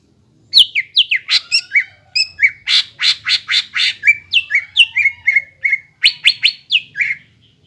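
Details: Greater green leafbird in full song, a caged bird used to prompt young birds to sing: a long rapid string of sharp chirps, downslurred whistles and buzzy notes, delivered in steady quick succession for several seconds.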